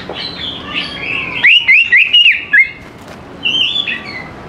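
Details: Greater green leafbird singing actively, a recording meant to coax young birds into answering; soft warbles lead into a loud run of five sharp, rolling whistled notes, then quieter phrases.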